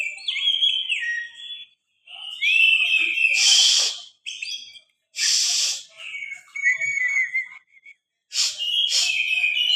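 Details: Oriental magpie-robin, forest type, highly agitated and ready to fight in the morning: whistled slurred phrases and scratchy notes broken by pauses, with loud harsh noisy bursts in between.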